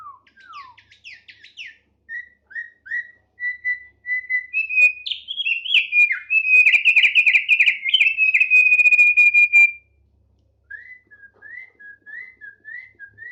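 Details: Thick-billed heleia, a tame bird singing vigorously, opens with short sliding whistles, then bursts into a loud, rapid, buzzy warbling trill held for several seconds, pauses, and ends with soft repeated whistled notes.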